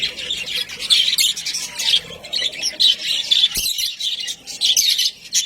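Budgerigars chatter in a busy flock, with rapid, scratchy chirps and squawks overlapping continuously.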